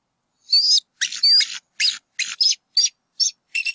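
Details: Nesting bald eagles on a college campus in NW Georgia, April 2018, vocalizing as the male chases an intruder away while the eaglet lies flat; a stuttering series of shrill, squealing chitters with thin whistled overtones.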